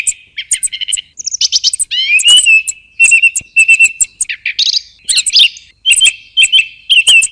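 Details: Song thrush song: loud, varied phrases of clear whistles, sharp ticking notes and high chirps, separated by short pauses, with several notes repeated in quick succession.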